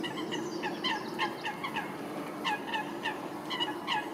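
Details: Eurasian coots fighting at Wilgenbos in Almere, Netherlands: a run of short, sharp, harsh calls with strong upper harmonics, given in irregular quick bursts over steady background noise.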